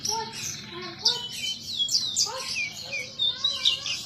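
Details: Horsfield's bush lark kept in Indonesia, singing busily: dense high twittering overlaid with lower, clear slurred whistles and rising notes, varied and continuous, faint hiss beneath.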